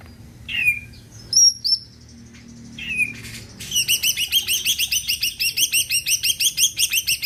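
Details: Greater green leafbird, a caged songbird kept to make other birds sing, with slurred downward whistles and thin high notes followed by a long, steady, rapid rattle of rasping notes.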